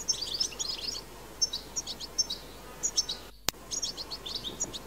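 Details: European goldfinch recorded in the wild, song used to encourage goldfinches to sing: short separated bursts of high twittering chirps, a brief silent cut with a click just past three seconds, then more chatter.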